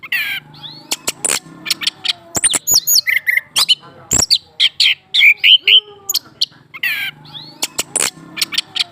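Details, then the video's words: Orange-headed thrush, a caged male stirred into song by a female set under his cage; busy medley of sharp chirps, high thin whistles and rasping notes, with a few bright ringing whistles near the end. "PANCING DENGAN BETINA DAN COBA TARUH DIBAWAH SANGKAR JANTAN TERBUKTI LANGSUNG BUNYI"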